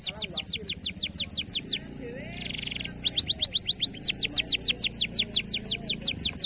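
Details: Local canary singing in a masteran recording for training birds: steady high downward-sweeping notes about three per second, broken by a brief harsh buzzy rattle, then the repeated sweeping notes resume, growing louder.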